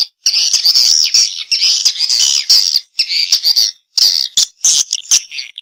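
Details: Response call of a swiftlet: loud, high, grating twitter phrases about a second long, separated by brief silences.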